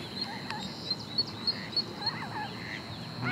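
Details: Ducklings at Lake Padden give thin, high peeps about every third of a second while swimming around, with a few soft, lower quacks from a duck, possibly the mother calling them, under a steady outdoor hiss.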